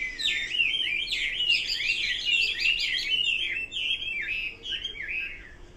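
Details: Hwamei song made of quick, sharply slurred whistled notes, each sweeping up and down, delivered in a rapid chattering run of about three notes per second with varied shapes.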